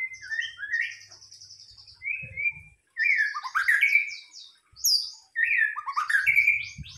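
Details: White-rumped shama lure song, given in varied bursts: high trilling, fluty whistles and scratchy rising phrases, with short pauses between and soft low thumps.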